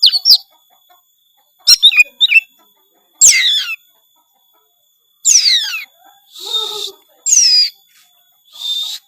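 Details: Oriental magpie-robin (kacer), gacor full-isian song rich in inserted phrases: loud separated bursts of steep descending whistled sweeps, quick chattering notes and harsh buzzy rasps, a new phrase every second or two.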